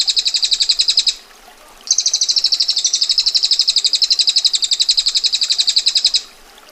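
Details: Female bar-winged prinia giving a dense, harsh, high-pitched rattling trill in the ngetir style: a one-second burst, a brief pause, then a sustained four-second roll of rapid, evenly spaced notes.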